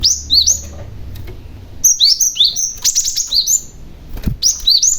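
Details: {'caption': 'Young cinereous tit giving lure calls to draw other tits into answering: bright, high whistled notes in quick slurred pairs and short bursts, with a pause near one second, then dense phrases.'}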